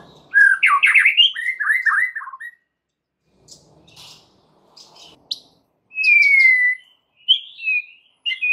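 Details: White-rumped shama lure song for prompting other shamas: tumbling whistled phrases, a quiet gap with faint clicks, then a long clear whistle and further bright notes.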